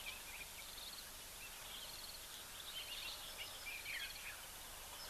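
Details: Red-faced mousebirds, cooperative breeders in family groups, at a waterhole in Africa, give thin, high whistled notes, several short descending phrases overlapping among a few birds, over a steady background hiss.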